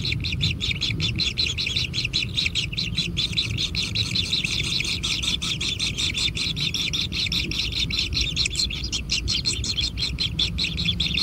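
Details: A steady, rasping chatter from kingfisher chicks being fed in a natural nest: short grating notes pulse rapidly and evenly for the whole stretch, over faint low background noise.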